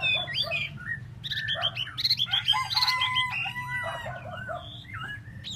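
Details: Tieu mi bird singing solo: a dense jumble of warbled whistles, harsh chattering notes and looping slurs, some held tones among them, delivered rapidly over a constant low hum.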